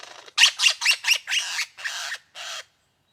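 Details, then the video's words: A superb lyrebird gives seven harsh, raspy squawks in a cold winter forest in the morning: four quick ones about a quarter second apart, then three longer, buzzier calls at a slowing pace. "Lyrebird Calls Echo in Winter Forest"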